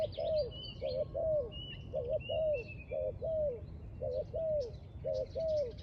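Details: Repeated cooing from a spotted dove near a trap, a quick wavering double note leading into a longer downward-sliding coo, six phrases in a row, with high chirps and whistles of other birds above.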